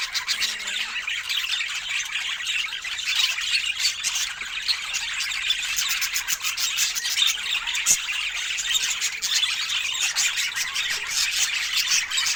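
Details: Budgerigars at fresh fruit food time keep up a steady, dense high chatter of overlapping squeaky warbles, with rapid ticking pulses mixed in through the middle and near the end.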